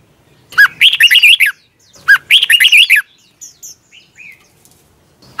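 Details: Red-whiskered bulbul in competition singing, for training: two matching phrases about one and a half seconds apart, each a downslurred opening note and a quick warbled run, followed by soft scattered chirps.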